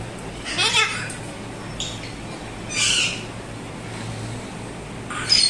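A Moluccan cockatoo gives four harsh, raspy squawks, each under half a second and spaced about a second or two apart, over a faint low hum.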